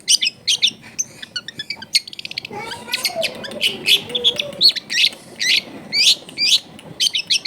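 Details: Vigorous long-tailed shrike song full of fill-in phrases, used to provoke other shrikes; fast rattling trills at first, then loud high scratchy notes repeated about twice a second with soft low warbling beneath.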